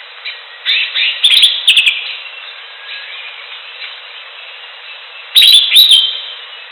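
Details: Greater green leafbird singing in the wild: two short bursts of bright, chattering whistled notes separated by a few seconds of quieter faint phrases, with a thin, muffled sound overall.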